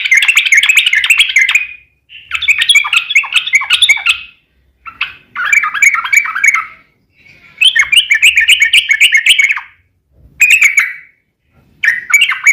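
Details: Sooty-headed bulbul in persistent 'ropel panjang' long rapid song, used to lure other bulbuls into answering: repeated two-second bursts of dense, bubbling, chattering notes separated by short silences.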